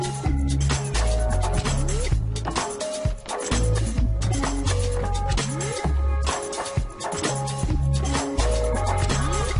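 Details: Electronic music with a heavy bass beat and layered tones fills the recording throughout, with no animal sound present.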